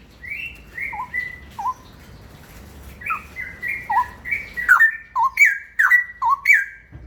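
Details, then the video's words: Straw-headed bulbul in ropel song, starting with gentle paired whistles, high then low, and speeding into a louder, faster run of rich warbled swoops near the end. "Burung Cucak rawa ropel"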